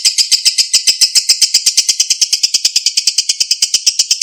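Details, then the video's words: Lovebird ngekek song, aimed at making a quiet lovebird sing again: rapid, regular, high-pitched grating chatter with no pauses. "MASTERAN LOVEBIRD MACET, BISU KEMBALI NGEKEK PANJANG, PANCINGAN LANGSUNG NYAUT"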